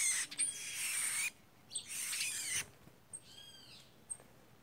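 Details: White woodpeckers in a group; rough noisy bursts give way to a few clear, arched harmonic calls, with short clicks between.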